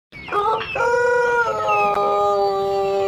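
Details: Pelung chicken rooster giving one long drawn-out crow, a rich harmonic tone that steps up in pitch early, then holds steady and level for nearly three seconds until it is cut off.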